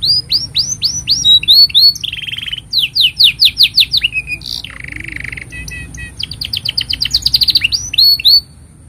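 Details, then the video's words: Singing canary used as master song for young birds and to coax silent canaries; varied song of quick repeated downward-sweeping whistles, buzzy rolled phrases, dry rattling trills and rapid chip series over nearly nine seconds. "Kenari Gacor Panjang Ini Bagus Untuk Masteran Kenari Paud Dan Pancingan Kenari Bisu"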